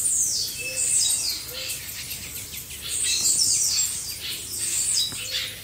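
Several blue-black grassquits call at once in a dense, high, buzzy chatter of overlapping chirps and short trills. A few soft low whistles sound faintly underneath.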